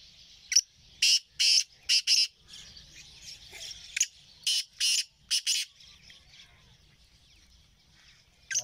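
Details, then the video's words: Kala teetar, the black francolin, recorded on 20 April 2024, repeating grating, rasping multi-note phrases, each a cluster of four to five harsh bursts separated by short gaps, above a constant shrill insect drone. "kala teetar ki awaz shruti teetar Ki awaz black teetar ki awaz"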